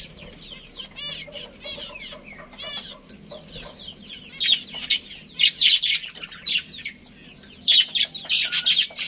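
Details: Budgerigars from a colony with a breeding pair: rapid stuttering harmonic notes at first, then loud bursts of squeaky, buzzy chirping repeated in clusters.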